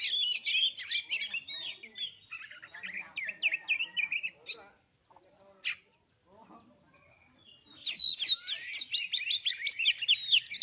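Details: Oriental magpie-robin song used as a lure to provoke birds into singing: loud, rich, varied whistles and rapid twittering phrases. A short near-silent pause precedes a dense, high, energetic burst of song.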